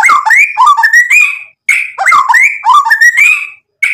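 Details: White-rumped shama in full song, played to make other birds reply: rich, fluid whistled phrases that swoop up and down, given in bursts of about one and a half seconds with short gaps.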